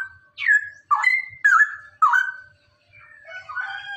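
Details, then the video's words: Male cucak rowo, the straw-headed bulbul, in its fast 'ropelan' song meant to train other birds. Four strong, throaty whistled notes, each swooping then levelling off, followed by softer warbling. "suara ropelan cucak rowo jantan"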